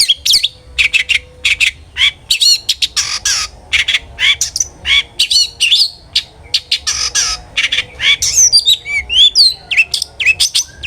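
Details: Long-tailed shrike singing hard in the ngeplong style, as a lure for other shrikes: long run of rapid scratchy chatter and squawky notes, ending in twisting whistled phrases.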